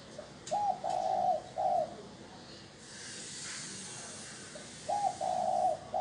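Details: Spotted dove giving its calling coo, used as a lure for wild doves: two phrases of soft, hollow three-note cooing, a short opener, a long middle coo and a brief ending, separated by a pause with faint hiss.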